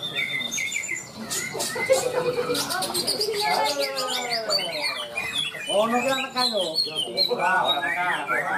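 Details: A greater green leafbird, the best bird in the premier class at a songbird contest at Ronggolawe, Malinau, North Kalimantan, sings a rapid, varied stream of bright whistles, slurred notes and chattering phrases without pause, with faint voices and other birds.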